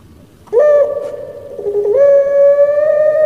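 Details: Kept puter pelung, a Barbary dove style popular in Java, Indonesia, delivering its 'crying' song: a loud, long, drawn-out hollow coo held nearly level. It dips briefly, then resumes slightly higher and continues steadily for over a second.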